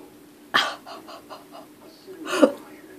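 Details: An African grey parrot imitating a hammer: a sharp knock followed by a series of fading, evenly spaced tapping sounds, then another loud knock, in an indoor setting.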